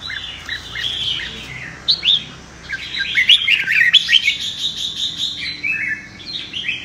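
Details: Red-whiskered bulbul fighting song for training birds to sing in contests: lively, overlapping warbled whistles and quick upslurred chirps, busiest in the middle, with phrases tumbling one after another.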